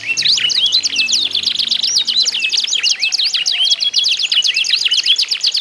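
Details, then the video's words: Canary song in a contest between birds, used to encourage other canaries to sing: quick rolling trills and sweeping high notes, several singers overlapping densely, a faint low hum in the first seconds. "ADU GACOR KENARI ISIAN"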